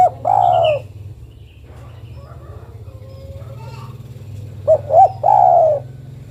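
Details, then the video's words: Female spotted dove calling to a male. One drawn-out, falling coo, then a long pause filled by steady low hum. Then a full phrase: two short soft hoots and a long descending coo. "Suara burung derkuku betina memanggil jantan"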